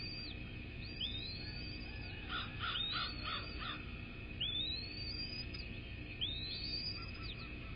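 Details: American bald eagle at the nest, one of a nesting pair on a live nest cam, recorded 10 February 2024 at 06:32. Thin, high, arched whistled notes repeat in loose bursts, with a steady electronic hum in the background.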